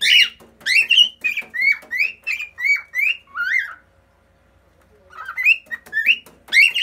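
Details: Singing on a fridge, a pet cockatiel delivers a rapid sequence of bright whistled notes, each bending up or down, then pauses about a second before resuming with rising whistles; a second cockatiel sits nearby.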